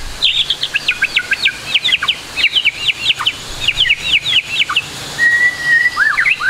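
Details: White-rumped shama in full varied song for tutoring juveniles: rapid runs of sharp descending chips in clusters, followed by a level whistle and two looping slurred notes.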